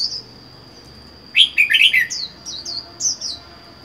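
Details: Caged red-whiskered bulbul, wild-caught and kept alone, four months in the cage: a burst of rich warbled notes, then a run of short, clear, down-slurred whistles, over a steady high-pitched whine.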